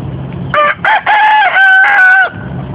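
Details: Domestic rooster crowing, first heard crowing after being thought a hen: a single hoarse crow about two seconds long, broken opening syllables then a long held harmonic tone, over a steady low engine-like hum.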